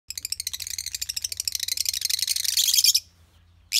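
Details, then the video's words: A lovebird chatters in a fast, shrill run of high chirps that builds to a dense squeaky trill, then breaks off abruptly. "นกเลิฟเบิร์ด เสียงร้องอันน่ารัก"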